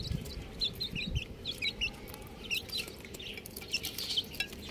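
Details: Little chicks peeping: short, high, downward-sliding chirps come in quick irregular clusters, several birds overlapping, with a few soft low thumps early on.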